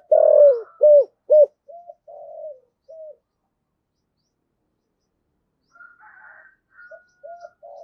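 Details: Decoy spotted dove singing in the prized 'giọng thổ' voice style: a burst of three loud, low hollow coos, then softer clipped coos trailing off. After a pause, faint coos return, with a thin higher whistling sound in the background.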